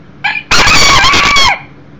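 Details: Young Millefleur d'Uccle rooster, one year old, visiting inside a house on 7/6/13: short lead-in note followed by a loud, raspy, sustained crow of about one second ending with a falling tail.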